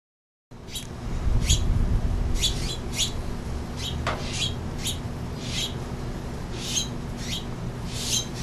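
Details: House finches sip nectar from a hummingbird feeder in San Francisco in summer, when they breed there. Sharp, clicky chirps come in uneven bursts of roughly four per second, set against steady low background rumble.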